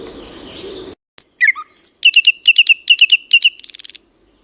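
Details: Bird song: after a murmur of noise, clear whistled notes, then a repeated bright chirping phrase of about a dozen notes ending in a short rapid trill.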